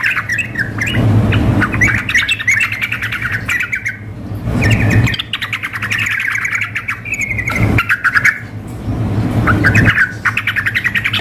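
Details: Female sooty-headed bulbul calling a male, combined with a lively male in a contest-simulation recording; busy, bubbly chirping runs and rolling phrases in long bursts, broken by brief pauses, with a constant low mechanical hum beneath.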